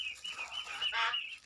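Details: Tame-in-progress pet crested myna giving a steady string of high, slightly wavering chirps that swell into a brief harsh, buzzy note before resuming. A low rumble sits in the background.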